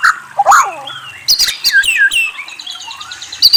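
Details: Rich, varied white-rumped shama song with whistles and trills: looping, descending slurred whistles, then sharp high notes and bouncing down-slurred phrases, ending with a bright high flourish.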